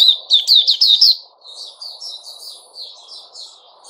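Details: Sooty-headed bulbul, male, 10 July 2021: a loud second of rapid bright chirps, then a softer continuing warble over a steady low background noise.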